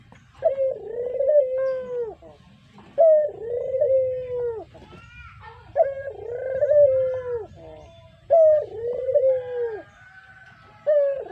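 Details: Series of five croons from a pet brown puter dove used as a lure. Each opens with an abrupt note and then trails into a long, wavering, falling purr, spaced about every two and a half seconds, over low background rumble.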